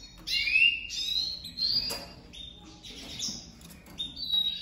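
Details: Caged domestic canaries, a breeding pair newly joined, female crouching low for the male on day one; rising whistled chirps and short high flat notes scattered through, fairly close and clear.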